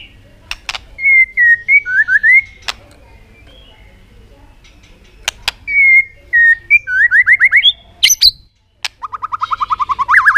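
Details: White-rumped shama song used to stir other birds into singing, with continuous tạch clicking: sharp clicks between clear whistled phrases that wobble and slur, then a run of rapid rising notes ending the passage.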